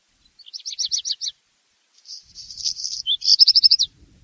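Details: Black redstart singing. It opens with six evenly spaced high rattling notes, goes quiet, then gives a dry hissing crackle and closes with a fast run of sharp repeated notes. The background is otherwise silent.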